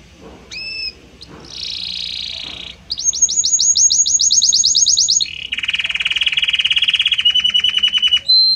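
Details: A Belgian canary's song shifts gradually from note to note. A clear two-tone whistle gives way to a buzzy high trill, then a fast rattling series of bright notes, then a lower sustained buzzing roll ending in quick repeated chips.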